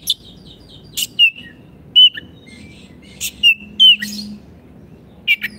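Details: Kacer, the Oriental magpie-robin, singing sparsely on a masteran track for caged birds that no longer sing: isolated whistled notes and slurs with long gaps, plus a low steady hum.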